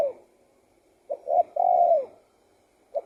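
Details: Spotted dove song with one full phrase in the middle: two brief coos, then a drawn-out low hooting note that falls slightly at the end. Parts of neighbouring phrases are heard at the edges.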